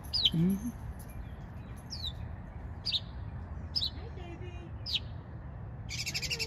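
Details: Clear descending whistled notes from a small singing bird, spaced about a second apart, followed by a harsh buzzy burst at the end; faint low voices underneath.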